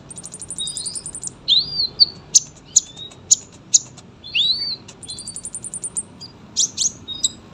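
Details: Sunbird in a long, vigorous chattering song, presented as a tutor recording for young birds. High thin notes: a rapid ticking trill, sweeping rising whistles, sharp repeated chips about every half second, then another fast trill and clicks.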